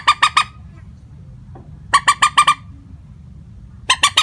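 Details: Monotone common moorhen lure call for trapping: short bursts of three to five loud, harsh, nasal clucks in quick succession, split by quiet pauses.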